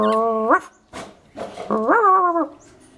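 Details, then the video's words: A roughly 7-month-old Scaly-breasted Lorikeet kisses, barks like a dog and chatters: two nasal, dog-like barks about a second apart, each rising at the end, with soft breathy chatter between. "giving him kisses and a bark and a bit of chatter"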